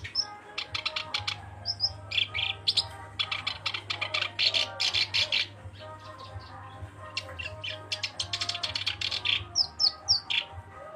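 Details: Black-browed reed warbler in energetic, chattering song, a small brown migrant that breeds in northeast Asia: dense bursts of harsh, rapid ticking notes mixed with short high whistles, broken by brief pauses, over a constant low hum.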